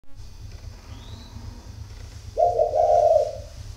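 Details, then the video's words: Spotted dove of the coo style called 'thổ khách có vấp', from a dove garden in Ba Vì, northern Vietnam: one low, full, hoarse coo near the end, after quiet with a low hum and a faint whistle. "Chim Thổ khách có vấp"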